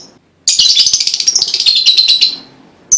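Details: Lovebird song used to prompt other lovebirds to sing: a continuous stretch of rapid, shrill twittering and chatter that fades out, followed by one sharp high chip at the end.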